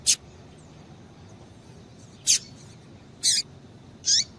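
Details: Female double-collared seedeater calls meant to excite males: four short rasping high notes, a few with a downward hook, spaced about a second apart against a faint hissing background.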